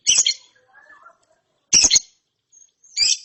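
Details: A lovebird youngster, recovered through therapy, produces ngeriwik chirps: three grating, high double-notes about one and a half seconds apart, with soft murmured notes in between.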